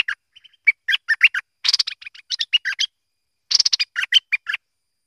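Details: A merbah lekir or kuning bulbul sings rapid runs of short whistled notes mixed with harsh buzzy bursts. The singing falls into two dense phrases separated by a brief silence.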